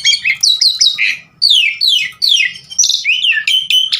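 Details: Javan pied starling in full song, played to lure birds into singing: loud descending whistled slurs repeated in quick succession, mixed with sharp chips and a brief pause after the first second.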